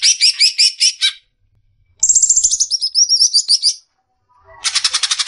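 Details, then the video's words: Greater green leafbird tutor recording, a future champion: a run of fast stuttering high notes, a wavering buzzy trill after a short silence, then another burst of rapid even notes. "masteran suara burung cucak ijo calon juara"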